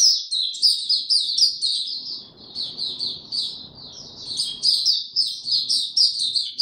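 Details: Sustained high, rapid twittering song of a white-eye in warm, very humid weather, notes tumbling quickly one after another, with a soft background rumble in the middle.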